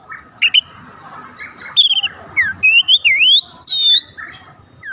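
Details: Magpie-robin singing to draw out song from other magpie-robins: a rich run of whistles with upward-sweeping and downward-slurred notes, a few scratchy squeaks, and a long sustained final whistle.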